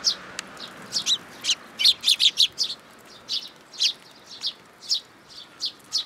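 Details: Young sparrow that came to a plum tree at a shrine to be fed, recorded in June 2022; short high chirps repeated in an uneven series, some rapid clusters, against quiet background.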